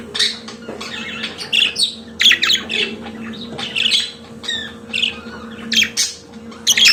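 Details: Pet budgerigar warbling in rapid, uneven runs of scratchy chirps, clicks and short whistled slides, with a low background hum throughout.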